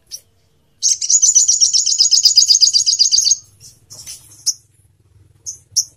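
A crimson sunbird gives a fast, very high, buzzy trill lasting about two and a half seconds, followed by a few scattered sharp, thin chips.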